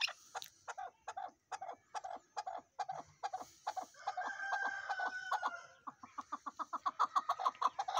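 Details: Chukar partridge clucking in a steady stream of harsh chuk notes, briefly overlapped midway by a drawn-out higher tonal sound, then resuming faster and more tightly spaced toward the end.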